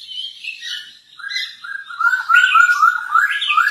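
A masked laughingthrush sings a quick run of clear, slurred whistles that rise and fall, growing louder toward the end, with faint higher chatter behind.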